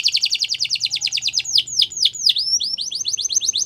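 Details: Singing canary in a training recording: a fast repeated trill of short notes, a few deep downswept whistles, then a quicker chain of rising notes.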